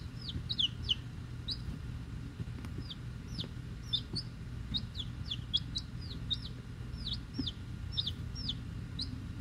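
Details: Week-old chicks, eight Rhode Island Red and two Black Sumatra pullets plus one unknown, hatchery-bought: a steady chorus of high, downward-slurred peeps from several birds, many per second, over a low droning hum.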